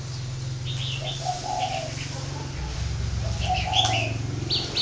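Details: Northern Vietnamese spotted dove from a breeding garden in Ba Vì giving two soft, low hooting coo phrases, with scattered high twittering of other birds above a constant low mechanical hum.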